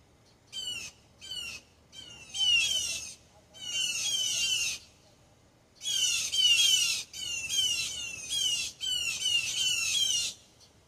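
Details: Wild blue jays in a backyard giving alarm calls to alert others to a returning hawk: harsh, grating squawks in rapid bursts, some single and some run together in long strings, with short pauses between groups.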